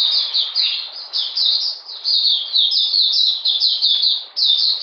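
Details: Oriental magpie-robin singing in cold, rainy weather on 13 June 2020: a steady run of high, bright, downslurred chirps packed closely together without a break.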